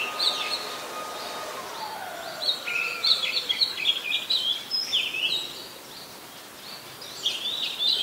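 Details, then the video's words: Oriental magpie-robin in Ubon Ratchathani, Thailand, December 2020; after a quiet start, a lively burst of fast, scratchy warbled whistles, pausing briefly before a final high phrase. "นกกางเขนบ้าน Oriental Magpie Robin (singing)"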